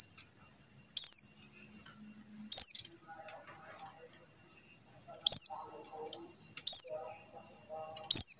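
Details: Five thin, piercing buxtoni white-eye call notes, each a quick downward slur, repeated at uneven intervals of about one to three seconds. Faint twittering sits between them. Intended to lure silent white-eyes into song.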